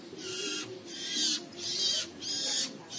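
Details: A young long-tailed shrike outside its cage, on a roof tile where it sleeps, gives harsh, hissing rasps about half a second long, repeated roughly every half second, over a faint low hum.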